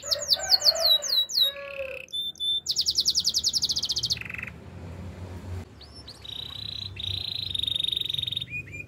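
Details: Canary song in a varied sequence: fast descending whistled sweeps, a low warble, then a dense buzzy trill, a short lower rattle, and sustained high rolling trills with clear tonal notes.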